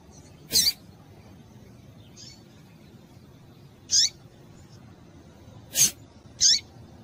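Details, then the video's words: A female rusty-collared seedeater calling to stimulate males delivers four sharp, thin, high notes spaced several seconds apart, then two closer together near the end. Each dips briefly in pitch, against a low hiss. "Melhor fêmea de coleiro quente para esquentar coleiro"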